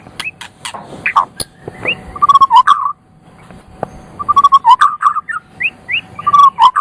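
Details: White-rumped shama song of varied phrases: rising whistles and rapid, repeated, rich mid-pitched notes, broken by sharp clicks and a brief pause; faint low hum behind.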